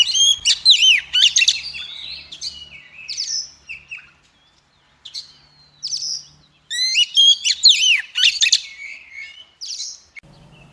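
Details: Song of a female Oriental magpie-robin, used to stir males into singing and spreading their tails: two rich bursts of fast, looping whistles and chirps separated by a quieter pause, with a faint low hum underneath.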